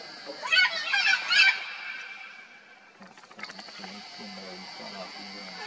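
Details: Macaws at the Macaw Sink Hole, Mato Grosso do Sul, Brazil: a loud burst of harsh, raspy squawks early on, then quieter clicks and low hums with people talking in the background.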